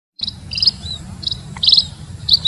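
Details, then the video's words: Munia giving a few thin, high chirps, with a brighter, longer burst near the middle and another at the end, over a steady low hum. "KICAU BURUNG PIPIT"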